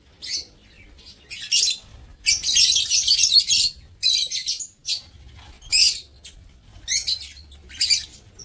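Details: Lovebirds in an aviary, 7 April 2024: harsh high chirps and a sustained scratchy chattering burst, followed by regularly spaced shrill calls about once a second.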